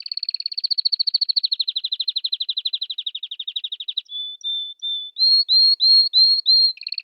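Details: Canary song opening with a long, fast rattling trill that slowly drops in pitch. A few short, flat whistled notes follow, then a run of bright upslurred whistles, each repeated about every half second.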